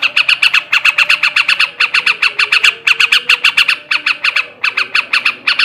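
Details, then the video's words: Male yellow-vented bulbul singing in ngebrem and ngekek garuda style, meant to stir breeding condition: a dense run of harsh, chattering notes, about eight to ten per second, with brief pauses and steady loudness. "kicau suara burung trucukan jantan ngebrem ngekek garuda ini ampuh menaikkan birahi trucukan bahan"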